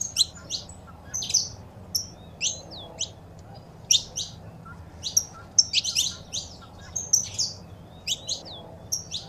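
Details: Recording of saffron finch, female calls with a male singing, used to excite a pet bird. Scattered high chirps and short bursts, irregularly spaced, some doubled, with soft background hiss.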